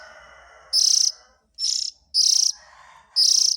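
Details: Oriental magpie-robin chick begging-type rasps, used as a lure for adult birds. The high hissing bursts repeat about once per second over a softer, lower hum.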